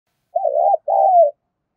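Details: Spotted dove calling to stimulate other doves: a two-part cooing phrase, a wavering low coo followed by a longer, smoothly falling coo, clean and close with no other sounds.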